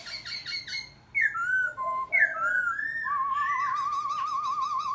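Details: Warbling laughingthrush: a few quick clipped notes, then loud sliding whistles dropping in pitch, ending in a long, rapidly wavering trill-like whistle held steady for nearly two seconds.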